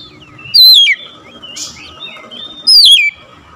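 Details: Oriental magpie-robin singing to stir a silent bird into answering. Two bright whistles each sweep steeply downward, with soft twittering notes and a brief rushing sound between them.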